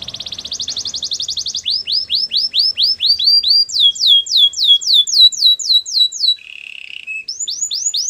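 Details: Canary training song meant to make other canaries sing: a fast buzzy trill, then rapid series of rising-falling whistled notes repeated about four per second, a brief lower buzzy trill, and more high sweeping notes.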